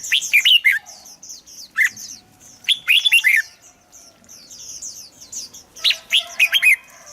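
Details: Lively red-whiskered bulbul song meant to excite birds or serve as a lure: warbled whistle phrases at the start, near two and three seconds, and again near six, backed by dense high chirping.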